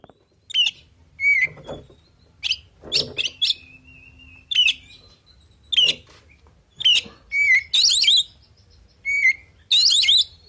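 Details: Oriental magpie-robin in full 'isian' song, meant to provoke other birds into answering: varied high whistled phrases, sharp rising and falling notes and buzzy chatter bursts, loosely spaced about every second, with a faint low hum beneath.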